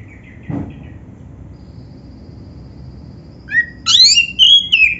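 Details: Oriental magpie-robin, black-breasted type, singing in full song as a lure for other magpie-robins: a faint short note early, near silence, then a loud closing burst of high, swooping, downslurred whistles.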